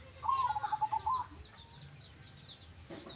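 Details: Local zebra dove, songgo geni bedah bumi type, in its klongklung song style: one loud, fast run of throbbing coo notes lasting about a second, then quiet, with faint high chirping of other birds behind.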